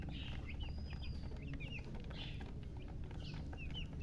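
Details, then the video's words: Just-hatched chicken chicks: sparse, high, short peeps, a few at a time, over a strong low hum. "Tot Murgi chicks chirping sounds Just Born Baby Gallina FRACAS Chicks Piar Loudly Sound"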